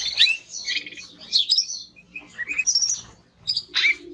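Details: Male timbrado canary giving scattered high twittering phrases, sharp chirps mixed with short buzzy bursts, spaced irregularly with pauses.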